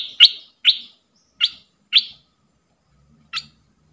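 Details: Bulbul kept as a decoy to draw wild birds into a fight, giving five separate sharp, bright chip notes over four seconds, spaced irregularly, with silence between them.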